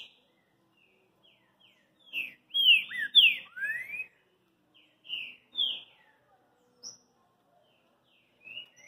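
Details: Green-winged saltator song: a run of loud, clear whistled phrases with sweeping slurred notes, a dense burst in the middle followed by shorter separated whistles, with quiet background murmur.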